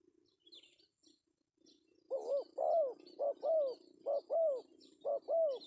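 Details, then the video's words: Male spotted dove, melodious 'pesom' call used as a lure: a quiet start with faint chirps, then four paired coos, short then long and arching, given in quick succession over a low hum. "suara panggilan Tekukur pesom"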